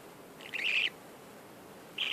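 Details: Budgerigar giving a harsh, buzzy chirp about half a second long, then a second similar chirp cut off at the end, against a quiet background.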